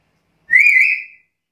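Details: A single loud whistle from a vocal black-capped lory. It starts abruptly, rises gently, then holds a level, bright tone for about half a second before fading, with no other sounds.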